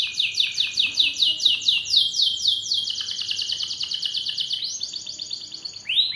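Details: Canary song from a long-duration masteran recording used for training birds: fast rolling trills of rising sweeps, about two per second, switching to a rapid buzzy high roll near the end. Background is quiet.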